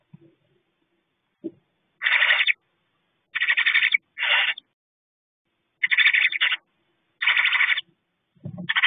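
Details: Two young owlets in a nest box at night, chittering loudly to each other while the female is briefly outside calling to them: harsh, breathy hissing bursts about half a second long, roughly every second, with faint low knocks.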